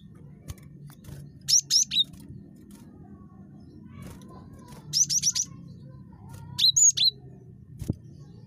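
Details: Cinereous tit (gelatik batu), described as very chatty, recorded as a lure to prompt other birds to call. Three bursts of two to four sharp, very high, quickly rising notes, each burst separated by several seconds of quiet hum.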